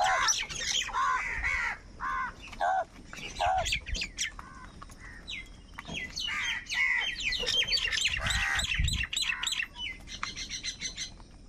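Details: Crows gathered over food, showing anger and calling: bursts of harsh arched caws in quick runs, broken by pauses, mixed with dense high twittering and chirps from many small birds.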